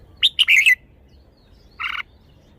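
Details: Red-whiskered bulbul showing off its song phrasing: a quick run of clear, warbled chirping notes, then a short pause and a second, buzzier two-toned burst, in a quiet setting.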